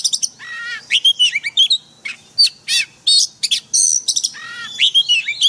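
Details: Daily training recording of an oriental magpie-robin singing in forest style for caged birds: harmonic, downward-sweeping buzzy notes mixed with bright whistles and chips, in rapid phrases separated by short silences.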